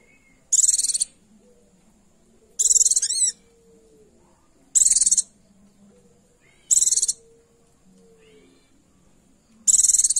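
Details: Female Oriental white-eye calling to attract a male and provoke males into singing: five short, high, thin trilled bursts about two seconds apart, with a faint steady high tone between them.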